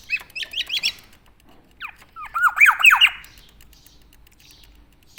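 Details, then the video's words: Javan black-naped oriole kept tame, singing rapid rolling phrases of slurred downward whistles, a quieter gap, then a louder cluster of looping whistled notes, ending with a sudden harsh burst. "BURUNG KEPODANG JAWA JINAK & GACOR"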